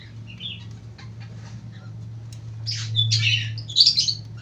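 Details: Lovebird in the long ngekek song style: soft scattered chirps at first, then a rising series of loud, rasping, high-pitched squawks toward the end, with a constant low hum underneath.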